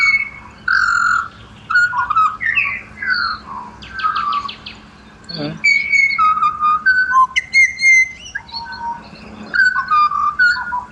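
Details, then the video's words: Pied butcherbirds from Australia sing a serenade of mellow, flute-like whistled notes in short phrases, some falling, broken by a burst of buzzy rapid notes midway and a sharp click, with pauses between phrases. "BUTCHER BIRDS Serenade / Serenata de Pajaros Carniceros"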